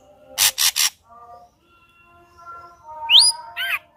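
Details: Three rasping harsh notes, a pause, then a loud rising whistle and a lower warbled note from an ashy drongo, sung as a lure to get another ashy drongo singing.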